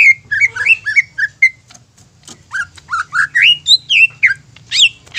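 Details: Greater green leafbird singing to stir other leafbirds into song; fast varied whistled phrases with slurred and rising notes, a short pause, then a further rapid string of clear whistles climbing in pitch.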